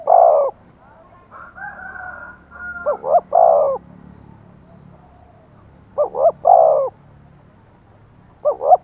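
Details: Decoy spotted dove urging wild doves to coo back: repeated loud phrases of hollow, throaty coos, each group of two or three notes separated by pauses of a few seconds, with a quieter wavering call in between.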